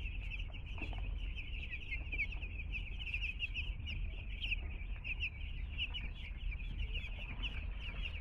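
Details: Chorus of two-day-old chickens just delivered to a home: rapid, high-pitched peeps from many chicks overlapping without pause, set against a constant low-frequency rumble.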